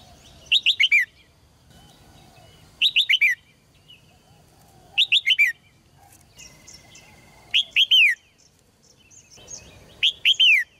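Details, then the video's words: Repeated song of a red-whiskered bulbul in a cage, meant to excite males to sing strongly: five bursts of three or four quick whistled notes, roughly every two seconds, with soft background chirps between them. "นกหัวจุก birds - เสียงนกร้องในกรง กระตุ้นนกตัวผู้ให้ร้องอย่างแรง"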